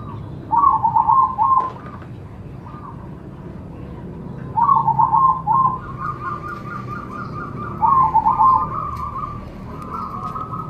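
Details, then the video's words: Zebra dove song used to get other doves singing: three clear bursts of quick trilled coo notes roughly every three and a half seconds, with softer purring in between and a low background rumble. "Cocok untuk terapi semua jenis perkutut pasti nyamber"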